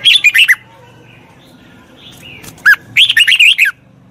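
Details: Red-whiskered bulbul, a training song for a wild-caught bird: a brief burst of quick whistles, a quiet stretch with faint soft notes, then a sharp note and a lively run of bouncing, warbled syllables.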